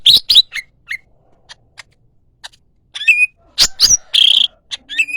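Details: Yellow-headed greater green leafbird: loud chirps at the start, a quiet stretch of soft ticks, then bright slurred whistles and a harsh buzzy note.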